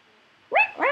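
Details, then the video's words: Pet Indian ringneck parakeet, male, three years old, talking indoors while unaware of filming; a single bright harmonic, voice-like syllable sounding like "wow", followed by the start of a second. "parrot talking to me"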